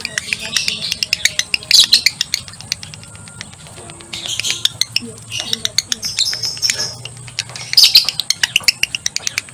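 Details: Male lovebird in breeding condition, ngekek style: harsh high chattering bursts roughly every two seconds, separated by runs of quick dry clicks, with a quiet low hum in the background.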